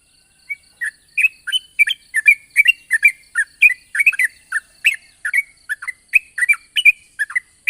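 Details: Yellow-vented bulbul singing in the morning, a long rolling song used as a lure to get young bulbuls to sing: bubbly, chattering notes in quick uneven bursts, repeated steadily throughout, with no other clear sounds.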